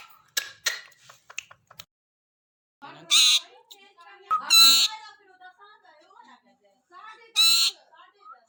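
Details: Pet parrot indoors uttering soft, speech-like chattering phrases broken by three loud, harsh, noisy squawks, with a few sharp clicks at the start.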